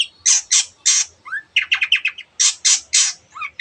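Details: Long-tailed shrike in 'teot teot' singing meant to stir other birds into song: loud, rasping squawk-like notes in uneven bursts, with a fast run of short chattering notes in the middle.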